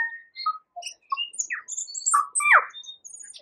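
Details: Tui singing among yellow kōwhai blossoms in New Zealand: a melodious mix of clear whistled notes at varied pitches, short high pips, and a loud downward-swooping phrase, delivered in quick irregular bursts.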